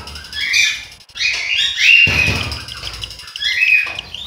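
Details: Young cockatiels in the nest, Juazeiro do Norte, Ceará, Brazil: rough, grating calls with a loud burst of rustling or fluttering in the middle, then quieter rasps.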